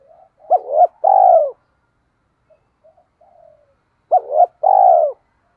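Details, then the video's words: Decoy spotted dove gives its luring coo twice: each phrase has two short rising notes and a longer vibrating coo that drops at the end, separated by a quiet gap with faint murmurs. "Chim Cu Mồi/ cu gay kich boi nhanh noi thúc gáy gọi"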